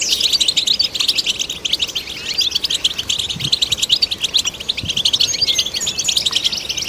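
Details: European goldfinch song, used to stimulate other goldfinches: a long, dense stream of rapid high twittering and tinkling notes with quick buzzy trills, almost without pause.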